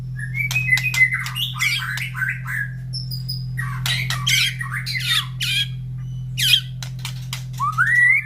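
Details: Captive White-rumped shama, fed in the morning and brought close to other caged birds that respond: mixed whistled slurs, harsh chattering bursts and a closing upward-sweeping whistle, all over a low constant hum.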